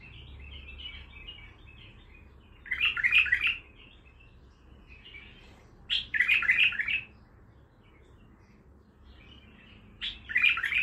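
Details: Bulbul kept in a cage, raw and singing in the Baghdadi manner: three loud, rich warbled bursts roughly every three and a half seconds, with softer, scratchy twittering between them.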